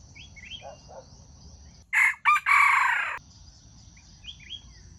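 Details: Junglefowl crow used to attract wild chickens into traps: a loud harsh crow in three parts, short bursts then a longer fading drawn-out note, with faint chirps before and after and a constant high-pitched hum.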